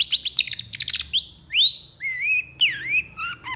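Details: Long-tailed shrike in animated song: a fast stuttering run of high notes, then clear slurred whistles rising and falling, a drawn-out sliding whistle and descending whistled notes at the close, faint hum beneath.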